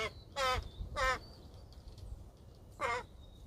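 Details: American crows Abbott and Costello, imprinted non-releasable educational ambassadors at a wildlife rehab center, during a training session on 9 November 2020: three harsh, nasal caws, two close together then one after a pause, as the crows talk to each other.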